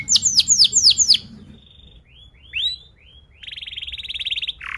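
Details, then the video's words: Canary song meant as a lure for young canaries learning to sing: a few loud swooping chirps, soft thin whistles and slurred notes, then a quieter rapid buzzy roll. "KENARI GACOR PANJANG Rol Rapat EMOSI Cuit cuit Ngerol AMPUH utk Pancingan kenari paud belajar bunyi"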